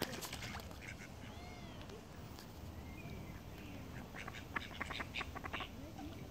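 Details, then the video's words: Call ducks in flight; a quick burst of high, harsh, nasal quacks in the second half, preceded by a few thin whistled notes, over a steady low rumble. "Flying call ducks"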